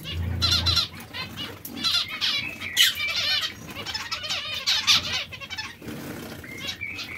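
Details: Breeding pairs of zebra finches: rhythmic nasal beeps and buzzy stacked phrases from several birds, a brief low thump at the start, steady background rustling.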